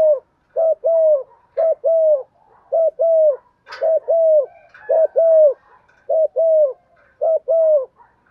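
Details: Spotted dove used as a decoy, cooing in the morning to draw in wild birds; steady paired low coos repeated in a regular rhythm, about every second, clean with little background.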